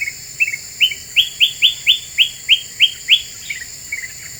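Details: A very vocal black-capped bulbul on a bird-luring track meant to rile other birds: a string of about nine loud upslurred whistled notes, roughly three per second, bracketed by quieter low chirps, with a steady high whine.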